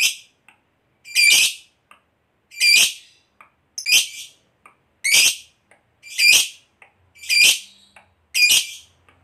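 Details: Lovebird, a fighter-type bird in long 'ngekek panjang' style, used as a lure sound to make other lovebirds answer: loud harsh chattering bursts about a second long, repeated roughly every 1.3 seconds, with faint clicks between.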